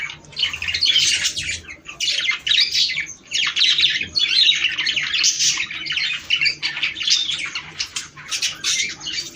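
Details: Chattering budgerigars, a recording meant to encourage breeding: nonstop high, scratchy warbling with squawks and quick chirps, rising and falling in loudness every second or so.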